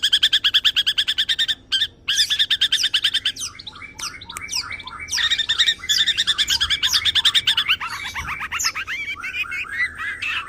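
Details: Long-tailed shrike, a tame champion singer delivering 'isian nembak' fill-in song for prompting and tutoring other birds: a fast, steady rattling trill, then quick varied warbles and chatter running on without pause.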